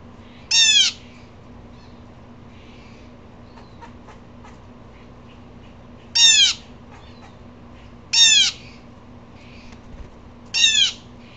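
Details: An upset blue jay repeats its harsh, raspy call four times at irregular gaps, each note a short buzzy downslur, with soft faint chips and ticks scattered in between.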